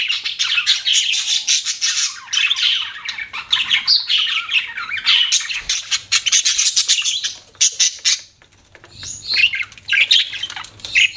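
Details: Budgies chirping and chattering continuously in a rapid, scratchy warble, dense overlapping twitters broken by a short pause before resuming with sharper squeaky notes.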